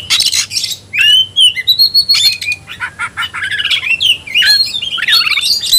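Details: Oriental magpie-robin singing in fighting ngobra style after being provoked: harsh scratchy bursts open, then clear upslurred and level whistles, followed by rapid chattering notes mixed with looping whistled phrases.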